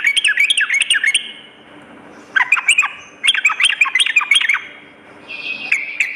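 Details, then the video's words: Night-time sooty-headed bulbul song in three quick bursts of jerky, rising and falling chattering notes separated by brief pauses. "terapi trucukan dimalam hari"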